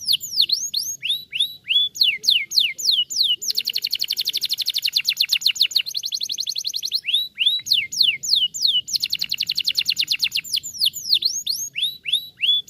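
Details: Canary song meant to get other canaries to answer and sing: bright downward-sweeping whistled slurs alternate with long, fast, buzzy rolls of repeated notes, the pattern repeating twice over.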